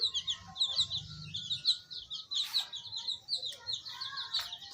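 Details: Baby chicks give rapid, high, downward-slurred peeps at roughly one per second from each bird, the calls overlapping into a steady chorus, with a brief scratchy rustle midway.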